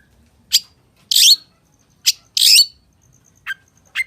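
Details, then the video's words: Long-tailed shrike, 'gacor' singing: widely spaced harsh, buzzy bursts alternating with short sharp chirps, roughly one sound every half second, with quiet gaps between each note and a clean background. "SUARA PENTET GACOR FULL ISIAN || CENDET GACOR"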